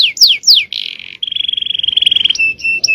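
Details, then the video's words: Canary, male, in champion-style 'cengkok jawara' song: three sharp descending swoops, a buzzy burst, a long steady rattling trill, then clipped level notes. "Aksi Kenari||Cengkok Jawara||Full Power Canary Action||Cengkok Champion"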